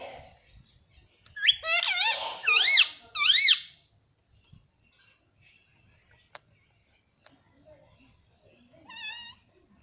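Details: Pet parrot indoors in a small room, said to be talking and saying mummy and papa: three loud, quick, rising-and-falling syllables in a burst over two seconds, then near silence and one short, thin, wavering note near the end.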